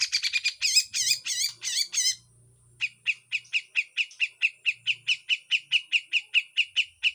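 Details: Grey-cheeked bulbul in harsh full song with raspy sweeping notes, a tutor recording: a burst of buzzy, rasping phrases, a short pause, then a long run of sharp chips repeated about two or three times a second.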